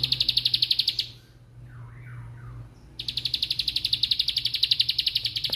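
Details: Bar-winged prinia (ciblek sawah) giving its rapid "bren" song: a fast, even series of high, sharp notes about four per second, a two-second gap, then the same brisk rattling series resumes; low steady hum beneath.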